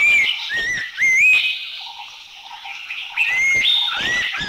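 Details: Whistled notes from an Abbott's Babbler in Thailand, rising slurs at the start, a pause, then further upslurred whistles near the end, with a continuous buzzing insect chorus behind.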